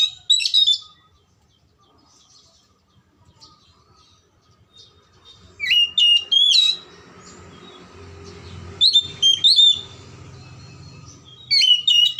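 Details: Oriental magpie-robin song serving as a lure for silent or lazy magpie-robins: short loud bursts of sharp whistled notes spaced by pauses, recurring about every two to three seconds, with some low rumble between.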